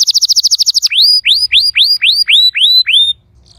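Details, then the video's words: Canary song for getting a silent canary to sing: a quick rolling trill of about twelve notes followed by eight loud rising, arching whistled notes spaced evenly, ending abruptly. "PUTAR VIDEO INI JIKA KENARI ANDA MACET BUNYI"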